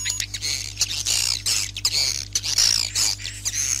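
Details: Swiftlets in a night sound for a bird house: a busy chorus of shrill, squeaky chirps and buzzy trills packed closely together, with a low continuous hum beneath.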